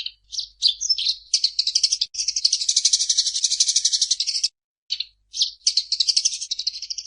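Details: Gacor song of the Eurasian tree sparrow (burung gereja): quick chirps leading into an extended rapid rattle of high notes, a pause, then more chirps and a fresh trill.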